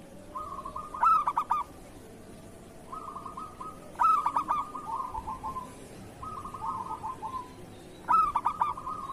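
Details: Zebra dove of local Indonesian stock, kerot-style song used to tutor and stir lazy doves: three loud broken cooing phrases roughly every three seconds, with gentle purring trills running between them.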